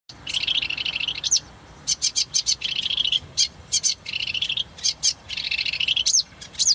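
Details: Eurasian reed warbler singing in spring 2010 at Saladar de los Canos: loud chattering phrases of repeated grating notes in runs about half a second long, broken by sharp single notes and short whistled slurs, steady and continuous.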